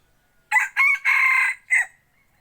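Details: Decoy rooster kept for hunting in the forest gives a loud, clear crow in four bursts, two short notes, a long sustained one, then a short final note, with silence around it.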